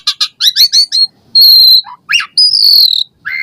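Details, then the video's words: Asian pied starling in full song, used to prompt caged birds: quick chattering chirps followed by two long, steady, pure high whistles separated by a short rising squeal. "Jalak Suren Gacor Full Isian Variasi Mewah !!! Pancingan Jalak Suren Ocehan Suara Burung"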